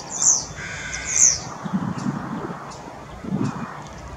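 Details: Common starling (Sturnus vulgaris), recorded 23 May 2023, gives two harsh, rasping calls about a second apart, followed by low rumbling background noise.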